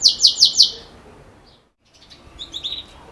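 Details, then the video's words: Belgian canary, campainha (bell) song: four loud, clear, evenly spaced whistled notes, then near silence and a few faint high notes. "Canário Belga Canto Campainha Ótimo Para Filhotes"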